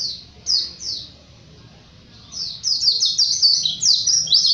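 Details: A Japanese white-eye gives a few spaced, falling whistles, then breaks into a rapid, unbroken run of high twittering notes in 'gacor ngalas' style.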